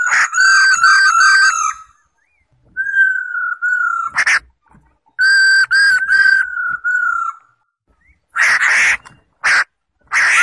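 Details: Singing male black-throated laughingthrush with a calling female, intended to rouse captive birds: wavering whistled notes, level drawn-out whistles separated by silences, and loud rasping bursts toward the end.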